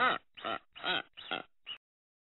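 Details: Booby giving five harsh, honking calls with rich harmonics, each about a quarter second long and spaced roughly every 0.4 seconds, the last one short and thin; nothing else is heard.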